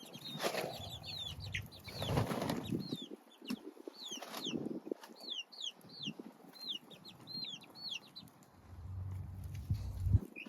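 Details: Baby chicken chicks give many high, thin, downward-slurred peeps, overlapping and repeated through the recording, with rustling, soft thumps and faint handling noise beneath.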